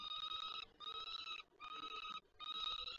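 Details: Falcons at the PGE nest in Lublin, Poland, late May 2019, with the parents behaving as though calling the young to their first flight: four harsh, buzzy, rapidly pulsed bursts, each about half a second, in steady succession.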